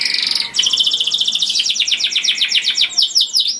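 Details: Canary singing loudly and sweetly to attract other canaries: a steady high tone, then a fast, rolling trill of repeated descending notes accelerating toward the end.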